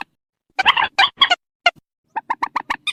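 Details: Harsh calls of purple swamphen, a recording played at night through a loudspeaker to draw birds into nets; grating, buzzy rattled notes run together early, then a series of evenly spaced shorter squawks about every 0.15 seconds.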